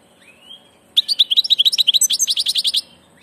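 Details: European goldfinch, a migrating bird, singing a bright twittering phrase of rapid repeated chirps and trills, about fourteen notes in under two seconds, after a faint thin whistle.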